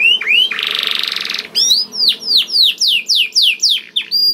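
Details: Canary in energetic 'gacor' song used as a lure to prompt other canaries to sing: a rising whistle, a dense buzzy trill of about one second, then a fast run of descending sweeping notes roughly five per second.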